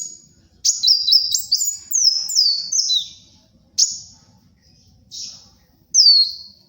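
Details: Sunbird (kolibri wulung) in full, lively song, used for luring and tutoring birds: a thin, very high twittering run of quick rising and falling notes, then separate sharp high chips and a falling whistle after short pauses.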